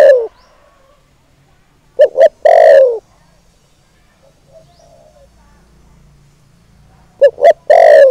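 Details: Decoy spotted dove giving its lure call to provoke and draw in wild males: two low cooing phrases, each with two short clipped notes and then a long, burry, slightly falling coo, separated by about five seconds of quiet.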